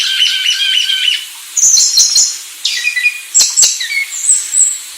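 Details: Sulawesi myna song of scratchy warbled phrases, high squeaky whistles and short chattering notes, broken by brief pauses, with a few clicking sounds between phrases.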